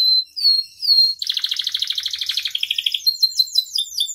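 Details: Vigorously singing canary, a tutor and bait recording: two sliding whistles, then a dense rapid trill that drops to a lower rattling roll, followed by quick downslurred chirps repeated about twice a second.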